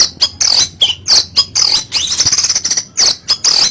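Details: Kacer, the Oriental magpie-robin, singing harsh 'kasaran' material: short scratchy high notes mixed with down-slurred whistles, then a fast rattling buzz, loud and close.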